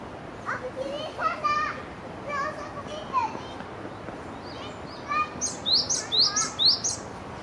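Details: Japanese tit singing while preening, with a run of five sharp, high, downslurred notes in fast succession near the end, preceded by lower harmonic calls and other mixed sounds.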